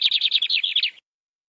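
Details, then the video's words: Canary trilling at high pitch: a quick run of about ten repeated rolling syllables over one second, each slightly descending, stopping cleanly into silence. "The sound of a canary bird"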